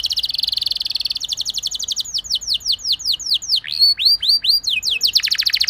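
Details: Canary ngerol song used as a lure so other canaries join in singing: a long, rapid rolling trill of about two seconds, a quickening series of falling notes, several rising whistles, then a buzzy trill again.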